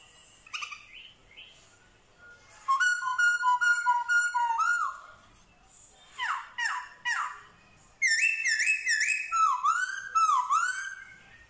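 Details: Black-throated laughingthrush in Vietnam, known for mimicking dogs, cats and chickens, gives a varied loud song: falling slurs, bursts of rapid buzzy notes, and a run of looping whistled phrases separated by brief gaps.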